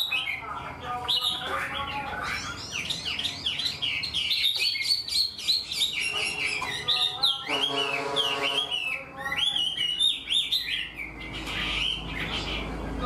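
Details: Full structured song from a caged Chinese hwamei, an untrained bird that sings like a tamed one: loud, varied whistled phrases, rapid up-and-down slurs and trilled runs flowing almost without pause.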